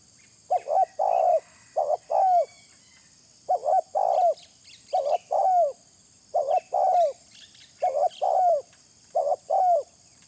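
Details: Spotted dove calling, used as a lure: steady series of three-note phrases, a short burred note, a rolling coo and a falling final coo, about seven phrases, with faint high chirps in the background.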